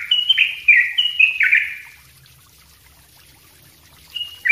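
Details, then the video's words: Sooty-headed bulbul singing a dense, chattering song used for training other birds: a rapid run of bright whistled notes sliding downward, then about two seconds of quiet before a short note returns at the end. "suara trucuk ropell rapat gacor bagus buat masteran"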